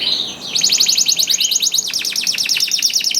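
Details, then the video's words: Vigorously singing canary, used to prompt reluctant canaries to join in: after a short whistle, a rapid run of sharp, bright, evenly repeated high notes, about fifteen per second, shifting pitch midway. "KENARI GACOR DOR INI MEMANCING KENARI YANG SUSAH BUNYI JADI IKUT GACOR"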